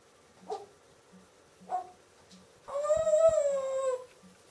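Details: Indoor pet female parrot that imitates barking and howling despite no dog in the house; two brief yelping notes followed by a long, rich, wavering howl lasting over a second, fading at the end in a quiet room.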